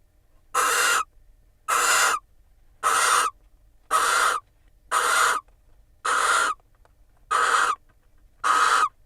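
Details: Barn owls preening one another in a nest box in Israel while the female sits on eggs, March 2021; a steady series of eight harsh, breathy screeches, about one per second.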